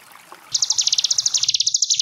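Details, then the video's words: After a moment of soft background noise, a Sunda bush warbler starts its ngebren trill, a rapid run of high buzzy notes that continues to the end; recorded as tutor song for young cage birds. "Cigun Ngebren Gelombang Tawon Jeda || Masteran Ciblek Gunung 30 Menit"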